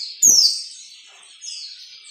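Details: Captive-training recording of white-eye ngalas nembak song: one loud, sharp note sliding steeply downward, followed by a softer, high, continuous twittering warble that swells again near the end.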